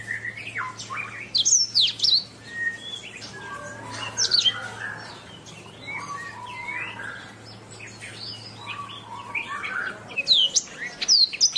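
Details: Canary master song used to train songbirds: bursts of high whistles, chirps and slurred phrases, some softer passages, over a steady low hum through most of the recording.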